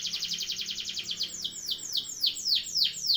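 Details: Canary long-roll song used for tutoring birds: a rapid, even, high trill of closely packed notes that slows into loud downward-sweeping whistled notes repeated about every quarter second.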